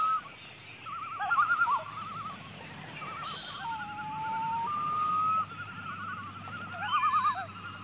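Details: Loons calling on a lake in the morning: loud, quavering tremolo phrases that waver rapidly up and down, plus one long, smooth, slightly rising wailing note, over a low steady hum of lapping water.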